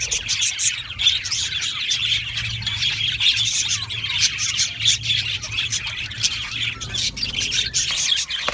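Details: Aviary budgies chattering together, thick layered chirps and squawks with a faint low hum underneath and a single sharp squeal near the end.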